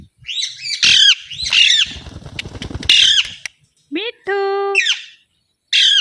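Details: Alexandrine parakeet screeching in rough, repeated bursts, joined briefly by a sustained buzzy electronic-sounding tone and a short upward squeak before the squawks resume.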